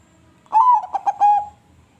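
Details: Crossbred zebra dove cooing: a single one-second phrase with a rising opening note, then a quick run of bubbling pulses that ends in a sustained, slightly falling coo. Quiet background.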